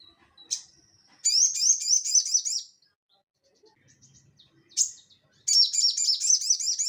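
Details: Crested jay (sogon) in full ngeleper song, recorded as master audio for cage birds: a sharp note opens two long bursts of fast, harsh repeated rising notes, with a quiet gap and a lone chip between them.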